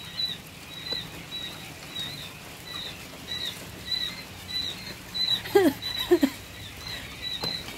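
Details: Day-old quail chicks in a coop on an egg-laying quail farm: a steady chorus of thin, high peeps repeated about every half second, with a brief low human voice near the end.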